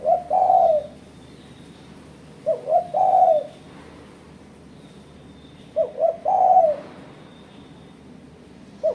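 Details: Challenging call of a spotted dove, used as a trapping lure against rivals: repeated phrases of short soft hoots leading into a sustained low coo, about three seconds apart, with a faint background hiss.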